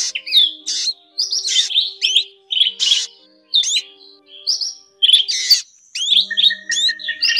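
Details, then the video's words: Mixed drongo calls, of black, forest and fish-tailed drongo types, used as a trapping lure: rapid sequences of sharp whistled notes and rasping bursts, nearly continuous, with a low steady tone beneath. "Tiếng Bẫy Bắt Tấc các loại chèo bẻo , chèo bẻo rừng , chèo bẻo đen , đuôi cá chèo bẻo"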